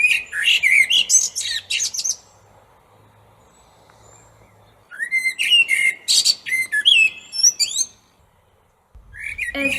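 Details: Common blackbird song, a bird heard mostly in spring, in the morning or evening. Two phrases separated by about three seconds of quiet each begin with low fluted warbles and end in high, squeaky twittering.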